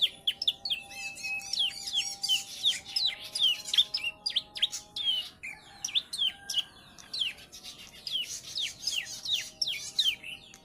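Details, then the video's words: A young Bar-winged prinia aged three months, taught ciblek song, sings fast, continuous strings of sharp hooked chirps, about two or three notes a second, in long rattling phrases over a steady low hum. "PRENJAK PAUD USIA 3 BULAN. ISIAN CIBLEK BOSQUE !"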